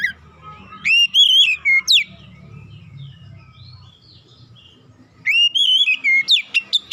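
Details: Oriental magpie-robin singing a lure song to get hard-to-start birds singing. Two loud phrases of wavering whistles and sharp upswept notes are separated by a quiet gap of about three seconds with faint low background sound.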